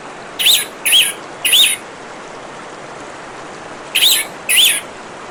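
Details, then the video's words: Orange-headed thrush song over steady running water: five short high whistled phrases with rising-falling slurs, three close together, then a gap of two seconds and two more. "Terapi Kicauan Burung Anis Merah dan suara Gemericik Air"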